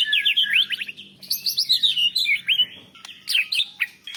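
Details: White-rumped shama, a national champion singer, with copied canary, lovebird and Cilalilin phrases. A dense burst of high, sliding whistles and quick chattering notes, about three to four per second, bright and unbroken.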